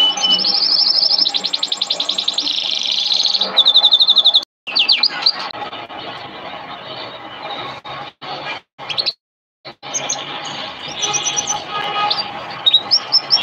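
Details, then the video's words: Canary training song (masteran kenari) with strong, buzzy high trills and fast repeated rolls, followed by swooping whistled notes; the song breaks up with several abrupt silent gaps before resuming with high chips and trills. "Masteran kenari burung | Canary training song"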